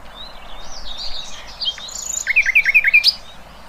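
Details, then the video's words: Wild songbirds twittering softly in the background, then a crisp sequence of five rapid, bright descending chirps ending in a sharp high note. "Kicauan Burung Cerminkan Suasana Damai"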